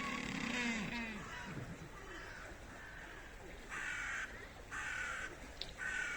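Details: Humboldt penguins at Schönbrunn Zoo, Vienna, in snow in spring give harsh, braying calls in several hoarse bursts, each about half a second, with background murmur and outdoor noise.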